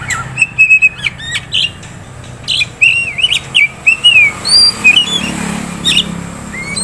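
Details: Oriental magpie-robin, a prospect bird held by a dealer in Kisaran, delivering a rapid string of sweet whistled notes, trills and upslurred phrases that mostly rise toward the end, over faint low background hum.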